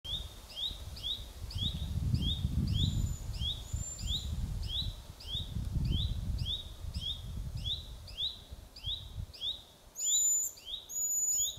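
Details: A flying young Eurasian pygmy owl gives its begging call, thin, high, rising squeaks about twice a second, over a low rumble of wind, with sharp high chirps near the end; Stolowe Mountains National Park, Sudeten, Poland, July 2025.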